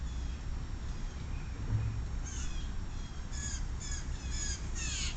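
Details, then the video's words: A noisy juvenile blue jay holding a peanut begs with harsh, raspy calls that begin after a quiet start and come in a ragged series of short, buzzy squawks toward the end. "A very noisy #baby #blue jay"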